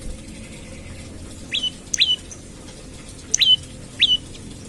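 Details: Morning lure calls of an olive-backed tailorbird, meant to make other tailorbirds sing: four loud, sharp high chirps, each a quick bright two-part note, spaced about a second apart after a quiet opening.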